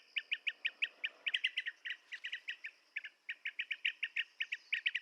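Blue-tailed bee-eater giving rapid, rolling chirps, several per second, clear and high-pitched, in steady series with brief pauses; nothing else stands out.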